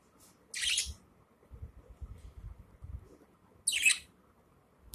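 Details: Budgerigar giving an unusual sneeze, as if something is inside; two short, hissy, broadband bursts about three seconds apart, with faint low rumbling and shuffling between them.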